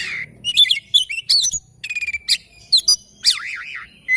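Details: Morning song of an oriental magpie-robin, mixing clipped chirps, a long steady whistle and a wavering, warbled whistle that rises and falls several times, delivered in quick bursts.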